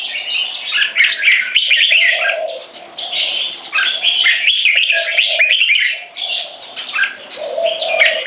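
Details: Two Red-whiskered Bulbuls, trained competition birds aged 3.5 and 7, battling for territory with butir frequency singing and display: continuous dense bubbly warbling in waves, with intermittent lower hums beneath.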